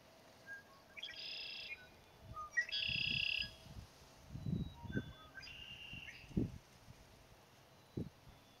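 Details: A male Red-winged Blackbird calling from cattails on 10 May 2017 gives three phrases, each a short clipped note followed by a harsh buzzy trill about a second long, over low rumbling wind or handling noise.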